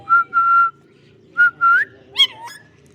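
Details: Green parrot giving two pairs of level, pure whistled notes, the second pair ending in an upward slide, then a short wavering squawk; faint low hum in the background.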